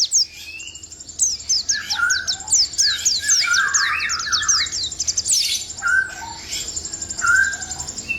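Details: Oriental white-eye (pleci) singing a continuous rolling 'ngalas ngerol' style song: rapid, high, thin downslurred whistles tumbling together, mixed with lower warbled phrases, over a steady high buzzing tone in the background.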